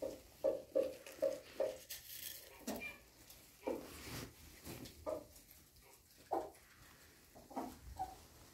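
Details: Brahma bantam chicken flock: short clucking calls repeated in a quick irregular series, then scattered single clucks with brief pauses, with faint background noise.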